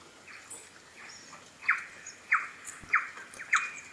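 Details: A New Zealand bellbird (korimako) in winter, feeding on insects in the Maungakotukutuku Valley, Kapiti, gives short, bright, descending notes about every two-thirds of a second, with faint higher chirps and soft hiss.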